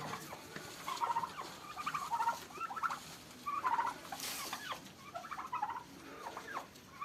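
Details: Farm turkeys in a fight give repeated quick, rattling gobbles, about seven bursts spaced under a second apart, with a brief noisy scrape midway and steady low background noise.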